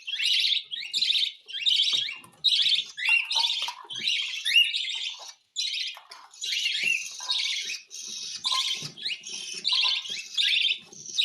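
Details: Cockatiel being hand-fed: a long series of grating, pulsed rasps, at times merging into continuous buzzing, with a brief near-silent pause midway and quiet lower chirps.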